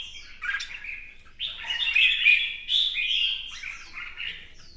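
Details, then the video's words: A red-whiskered bulbul in fresh plumage sings a competition song while dancing with fanned feathers: a short warble, then a longer, loud, liquid phrase rolling on for about two seconds, fading out softly. "CHÀO MÀO | CB Quạt Mo chiếc áo mới hót đấu múa xòe"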